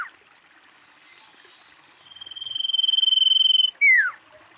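Common iora giving a long, level, rapidly trilled whistle that swells in volume, then a sharp downslurred whistle dropping steeply in pitch.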